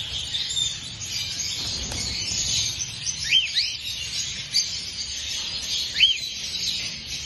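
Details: Cockatiel giving a few short arched whistles that rise then fall: two close together in the middle and a third near the end. A steady, dense high-pitched hiss of chatter runs underneath throughout.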